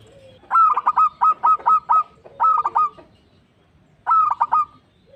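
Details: Singing local zebra dove, its song offered as a master recording to set other birds singing: quick trains of soft, resonant coos, each phrase a rapid rolling series of notes, three phrases with short quiet breaks.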